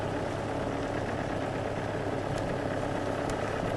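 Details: A loud, steady idling engine drones throughout, with broadband vehicle noise and no animal sound.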